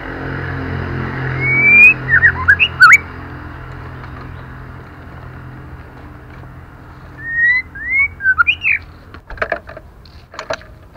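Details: Female white-rumped shama calling to stimulate males and young birds: two bursts of short, clear whistles, some slurred upward and some dropping, around 2 and 8 seconds, with sharp clicks and a low background hum.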